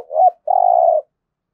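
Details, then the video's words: Spotted dove cooing in 'thúc gù' style for daily decoy-bird training: a short swelling hoot, a brief pause, then a long, steady, low coo lasting over half a second before silence. "Tiếng chim cu gáy thúc gù cực đỉnh/ chim cu gáy tập mồi luyện bổi hót theo hàng ngày"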